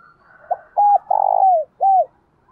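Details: Spotted dove kept as a decoy to provoke wild doves, singing in the 'thổ đồng' voice style. One low cooing phrase: a brief soft note, a clipped coo, a long purring coo falling at the end, then a last rounded coo.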